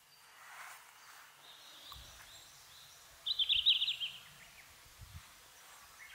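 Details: Red-flanked bluetail song from summer subalpine forest like Mount Fuji: a single brief warbled phrase of rapid, twittering notes lasting under a second, set in faint hiss with a few low rumbles and soft thumps.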